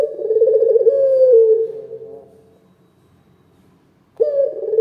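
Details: Loud local turtle dove (puter lokal) gives a low, rolling, wavering coo that sinks and fades, then silence before the start of another strong coo.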